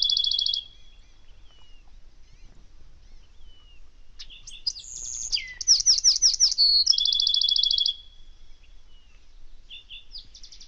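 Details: Say's phoebe on a desert morning gives high, buzzy trills and clipped, slurred downward notes in a busy burst mid-clip, with quieter chips before and after; Bewick's wren and spotted towhee may be audible in the background; faint low rumble.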